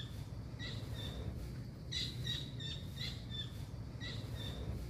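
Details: Master recording of a blue kingfisher for training caged songbirds, with clipped, ringing notes in short runs of two to four, spaced roughly half a second apart, above a continuous low-pitched rumble.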